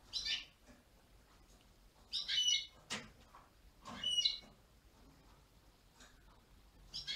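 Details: Gloster canary from Poland singing short bursts of high, chirping, twittering phrases separated by pauses of one to two seconds, with a quiet background.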